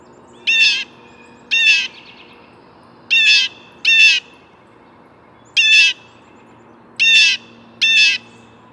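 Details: Blue jay giving harsh, buzzy, noisy calls in pairs, seven loud bursts spaced irregularly over about nine seconds, against quiet background.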